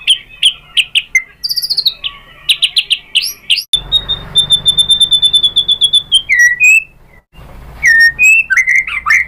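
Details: White-rumped shama song used to provoke other shamas to sing: fast varied phrases of whistles and chips, a long rapid trill of high notes, then more slurred whistles.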